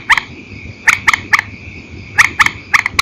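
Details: Purple swamphen heard at night in an old recording, calling in single and paired notes: short sharp clipped calls in two bursts, over a steady faint high hum.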